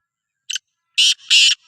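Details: Sindhi black francolin (kala teetar) call: a brief rasping opening note, a pause, then two loud, buzzy, grating bursts joined by a quieter scratchy link, ending in a faint trailing rasp. No other sounds.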